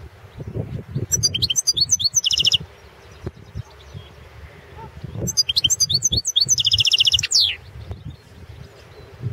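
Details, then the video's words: Competition recording of a Balkan European goldfinch from the 2016 world song championship: two bursts of bright tinkling twitters, each closing in a buzzy trill and a falling whistle, separated by a quiet gap with low room rumble. "Pesma štiglića 007/ 2016 Miroslav Djokić World championship in Goldfinch Song 2016"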